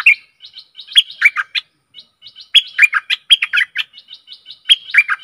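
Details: Stripe-throated bulbul singing on a decoy track meant for fierce wild birds: lively rapid phrases of liquid, chirpy notes, two main runs about a second apart with softer twitters between.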